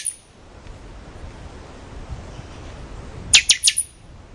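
Buffy-fronted seedeater giving three loud, sharp, metallic notes in quick succession near the end, after a brief high thin note at the start and a quiet background.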